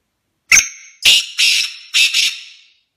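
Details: Black francolin (kala teetar) calling: a short sharp opening note, then three loud, harsh, grating bursts in quick succession over about two seconds, each fading away. No other sounds.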